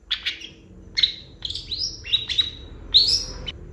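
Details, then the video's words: Long-tailed shrike giving a series of clear chirps and upslurred whistles, spaced about half a second apart, some harsh and some sweet, against a faint background hum. "CENDET GACOR FULL ISIAN CEPAT DI RESPON PENTET LAIN"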